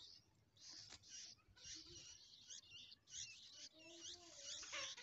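Bulbul chicks beg with harsh, high, raspy bursts that overlap almost continuously, joined near the end by a few lower, steadier tonal notes.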